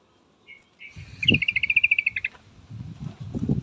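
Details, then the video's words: A female yellow-vented bulbul calls to attract a male with a rapid string of chattering notes that start with a couple of short lead-in notes, over low rumbling background noise. "suara trucukan betina full memanggil jantan pasti langsung pada nyaut"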